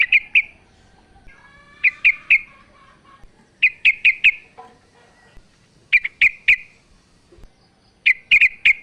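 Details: Sooty-headed bulbul female calls to the male in repeated clusters of three or four sharp, bright chirps spaced a couple of seconds apart, with faint lower twittering between.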